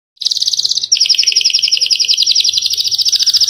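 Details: Canary singing in a lively, flashy style, used as master audio for training captive birds: a rapid high trill of buzzy notes repeated several times per second, the pitch dropping briefly near one second before the fast rolling trill resumes.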